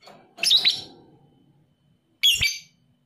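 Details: Lovebird described as 'paud emosi', heard as a lure to make lazy lovebirds sing: two sharp, squeaky chirping bursts about 1.7 seconds apart, with a brief low clatter and soft background noise.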